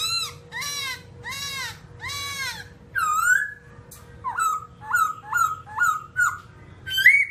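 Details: A babbler (Timaliidae), described as an all-black babbler of rocky habitat, gives three nasal, arching notes under a second apart, then a quicker run of short down-slurred calls, over a faint steady hum.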